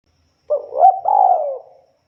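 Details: Spotted dove, or tekukur, uttering a short burst of low cooing, one rising coo running into a long smooth falling note, with no other sounds.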